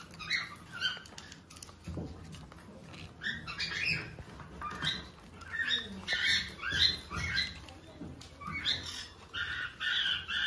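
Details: Hand-tame pineapple conure (green-cheeked conure) gives rapid, harsh chirps and squawks, about two a second, with soft rustling and handling noise underneath.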